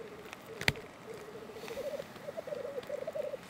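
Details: Black grouse male feeding on crocuses during the lek season: a low, continuous bubbling coo rolls on steadily and grows louder toward the end, with a single sharp click early on.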